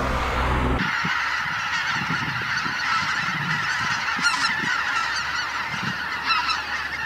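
Greater White-fronted Geese call continuously as a flock, a dense overlapping chorus of high, yelping honks with a steady roar behind it.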